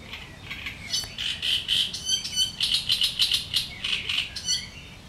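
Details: Sharp, grating chatter of a great reed warbler among reeds, rhythmic harsh syllables delivered about three per second in a continuous run.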